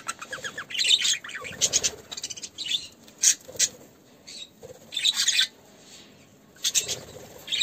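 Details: In an aviary during courtship, as a male budgerigar feeds a female, budgerigars chatter in scratchy, high bursts of warbles and clicks in short clusters with brief pauses, alongside some wing flutters.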